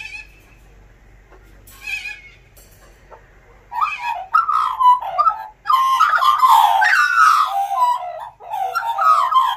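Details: Morning chorus from a visiting Australian magpie family of four at a front door: quiet, scattered notes at first, then a loud, continuous, overlapping warble of rich gliding phrases from about four seconds on.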